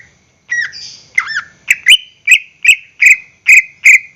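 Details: Greater green leafbird song, used as a lure to make caged birds sing: two rough, buzzy opening phrases, then a quick run of sharp, loud whistled notes repeated about every 0.4 seconds, with no other clear sounds.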